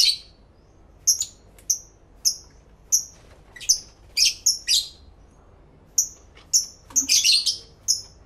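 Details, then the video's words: New pet lovebirds singing and chattering together, recorded in stereo through two external microphones: a steady run of shrill, clipped high chirps about every half second, building into a dense, overlapping burst of harsh chatter near the end. "1 Hour Lovebird Sounds"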